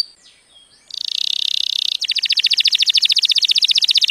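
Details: Canary song used for training young canaries to sing and for stimulating mating: a brief thin whistle opens, then a dense buzzy trill, switching into a faster, sharply pulsed rattle of about four notes a second, with no other sounds.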